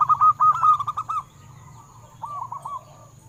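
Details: Local zebra dove song, played so captive perkutut will start singing: a strong rolling run of short, mellow staccato coos lasting about a second, then after a pause a softer three-note echo, over a low background hum.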